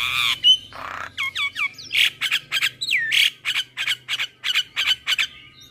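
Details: Morning song of a male black-winged starling with full phrases: opening harsh notes, then looping whistled slurs, followed by a fast run of loud buzzy squawks repeated roughly three times a second.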